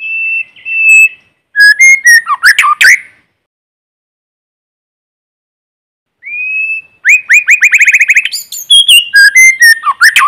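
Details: In forest, a White-rumped shama decoy bird sings to rouse rival birds: varied phrases of bright whistles and steep sweeps, then after a pause a rising whistle leading into a rapid trill and further twisting notes.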